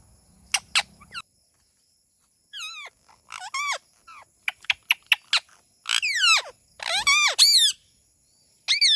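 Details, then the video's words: Parrot calls in scattered bursts: sharp clicks and harsh, downward-sliding harmonic squawks, growing denser and louder in the middle before a pause and one final squawk. "Amazing Talking Funny Parrot"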